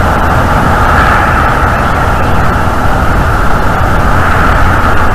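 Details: A loud, steady rumble like passing traffic or an engine fills the recording throughout, with no animal calls.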